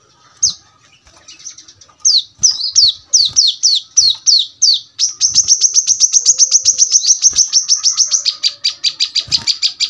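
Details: Brown-throated sunbird in a fast, sharp, close-knit song used as tutor song for home birds: a few high downslurred notes, then a long rapid train of clipped high chips, about four per second, slowing at the end.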